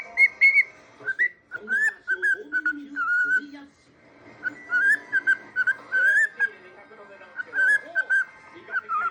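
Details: Cockatiel kept as a pet, whistling despite a hurt left foot: a long run of repeated whistled notes in a tune-like pattern, broken by a short quiet gap.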